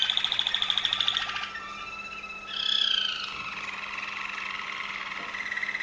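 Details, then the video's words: Waterslager Malinois canary from Veliko Gradiste, Serbia, giving a fast buzzy trill, a brief pause, then a swelling bright whistle that melts into lower bubbling rolled tones. "Waterslager Malinois Canary"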